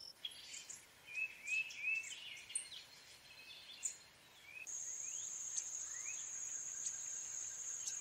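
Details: Brown-headed cowbird uttering a run of quick chirps and upslurred whistled notes, spaced unevenly over about four seconds, before a loud continuous insect trill takes over.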